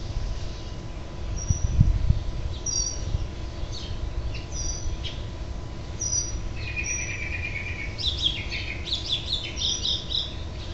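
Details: At a house finch nest on 6/12/07, the last young bird being urged to fledge: low thumps early, thin high whistles, then a descending run of quick twittering chirps near the end.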